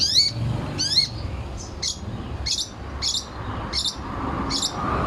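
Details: Long-tailed shrike in training song, delivering rapid bursts: harsh, buzzy notes with rising and falling whistled slurs, roughly two bursts per second early, then evenly spaced chattering notes; low background rumble.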